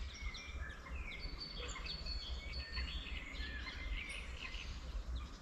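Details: Wild birds singing in spring at the edge of a quiet countryside village near a small wetland: a mix of thin high whistles and short chirps from several birds, over a steady low rumble of rural ambience.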